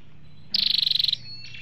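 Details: Flowerpecker on a lure recording of male and female sounds: one shimmering high trill of about fifteen rapid pulses lasting half a second, then a soft twitter.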